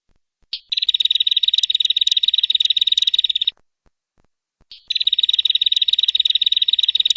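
A tailorbird gives two long, fast, high trills of rapid even pulses, each about three seconds, separated by a brief pause.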